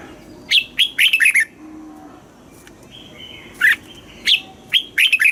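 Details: Red-whiskered bulbul in a cage, southern master-style song used to stir up caged birds and train youngsters; quick bright warbling phrases of four to five notes, a pause, then more rising whistled notes.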